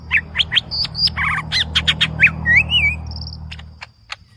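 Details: Green leafbird (cucak ijo) singing actively and aggressively in the full-fill style: a fast, varied run of sharp chirps, clear whistles, buzzy chattering notes and slurred rising whistles, with a low rumble of background noise.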